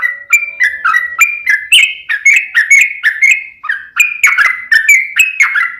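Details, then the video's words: Yellow-vented bulbul (trucukan) in long rapid 'ropel panjang' song, played as a lure to make other birds answer: a continuous chatter of bubbly, gurgling whistled phrases, rising and falling notes run together about twice a second. "trucukan gacor ROPEL PANJANG pancingan trucukan agar bunyi"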